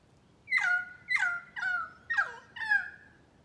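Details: Currawong, an Australian black bird, giving five loud, ringing notes about half a second apart. Each starts high, slurs down sharply, then holds as a clear, steady tone, with rich overtones.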